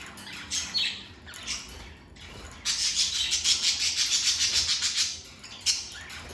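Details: Pet lovebirds give high squeaky chirps, then a rapid run of about a dozen evenly spaced shrill notes lasting two seconds, followed by a single sharp squawk.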